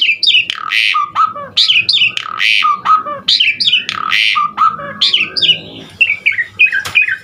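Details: Asian pied starling in energetic full song with varied fill-in phrases, used as a tutor recording: loud, rich run of whistles, rising and falling slurred notes and harsh squawks, delivered in rapid, uneven bursts.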